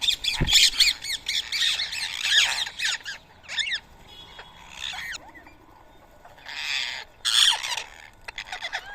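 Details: Rose-ringed parakeets at a feeding site in Coimbatore, India, eating soaked boiled rice at 7 AM on a March morning; loud chorus of grating screeches from many birds, with brief quieter pauses between bursts and a sharp knock near the start.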